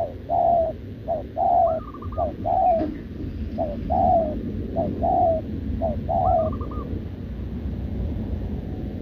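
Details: Short-legged wild-caught spotted dove cooing continuously alongside a decoy bird, recorded 6 November 2024; low, soft coo notes repeat in quick runs about once a second, with two brief higher quavering notes and a steady low rumble behind.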